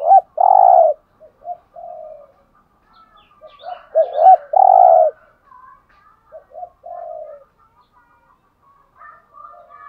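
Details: Cooing spotted dove in the 'hạp bổi' style, meant to rouse caged birds: strong paired coos followed by softer trailing notes, the phrase repeating with a quieter tail and faint background chirps.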